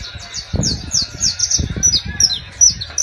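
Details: Saffron finch, known locally as canario criollo, singing in La Guajira, Colombia: a fast run of high, thin, downslurred chirps, several per second, with a man's voice talking low underneath.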